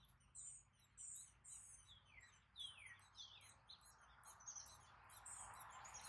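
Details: Gray catbird hatchlings beg while parents feed them, giving thin, high peeps and quick downslurred squeaks, repeated several times a second and building into a busier, scratchy chorus.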